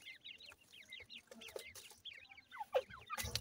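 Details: Grey francolin chicks feeding beside their mother: repeated short high chirps, some in quick pairs, a louder falling squeak, and a burst of rustling at the end.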